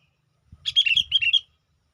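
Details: Sooty-headed bulbul used as a lure to summon wild bulbuls, giving one rapid phrase of clear, chirpy, chattering notes that rise and fall, with faint low thumps underneath.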